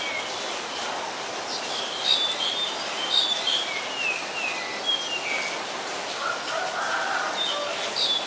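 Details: Rainy-day recording of a black-collared starling, Ubon Ratchathani, Thailand, 15 October 2021: a rambling sequence of high whistled and squeaky notes, some sliding downward, followed by lower chattering sounds, all over steady rainfall.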